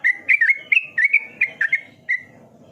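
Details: Yellow-vented bulbul singing actively: a bright, chattering string of liquid, slurred whistles, about ten notes in under two seconds, wavering up and down, closing with one drawn-out falling whistle.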